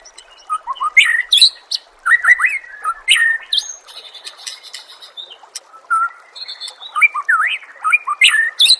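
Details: Songbird training recording of a white-rumped shama: rich, rapidly changing whistles, sweeping upward and downward notes and high sharp chips, delivered in dense bursts with brief pauses.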